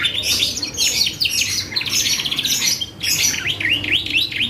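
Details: Energetic canary song used as a lure to make other birds respond: continuous high warbling trills and quick chirp bursts, a short pause near three seconds, then repeated swooping whistled notes.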